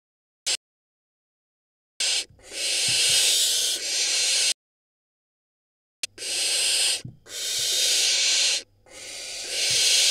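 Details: Barn owl nestling at a nest in Israel, one of a brood hatched in May 2022, around the time it swallows a rodent: harsh, breathy hisses in bursts of one to two seconds, broken by abrupt silent gaps.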